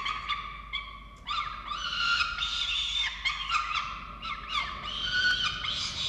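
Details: Falcon calls at a nest during chick feeding in Orange, Australia, 13 November 2022. Wailing, harmonic notes repeat with short sharp chips between them, growing louder and busier toward the end.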